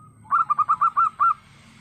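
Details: Local wild zebra dove calling, used as a lure: a rapid series of seven short, rounded, soft hooting notes with a rising-falling arch to each, evenly spaced over about one second.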